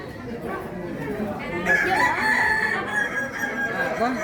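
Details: At a crowing competition in Solok, West Sumatra, an endemic Kukuak Balenggek cock gives a long, wavering crow that swells midway and holds steady, while other birds and a crowd murmur behind.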